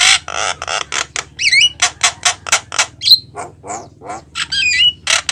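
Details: Javan myna song played to lure mynas: loud harsh squawking bursts alternating with looping whistles and chattery notes, over a low steady hum.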